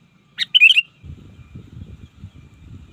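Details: Trained sooty-headed bulbul for calling rivals in the wild utters one brief bubbly warbled phrase, followed by low muffled rumbling and thumping noise.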